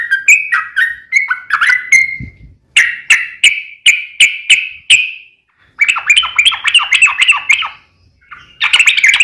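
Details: Sooty-headed bulbul, known as trucukan, in long ropel lure song: slurred whistles, a row of evenly spaced sharp chirps, then a rapid bubbling chatter and a final burst.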